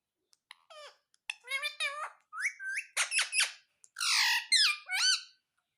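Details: Pet Indian ringneck parakeet indoors in a small room, said to say mummy and papa; a run of short harmonic squawky syllables with rising and falling inflections, word-like phrases over about five seconds.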